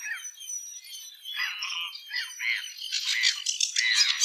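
A Eurasian penduline tit sings a quick jumble of thin, high chirps and short trills, growing busier and brighter toward the end.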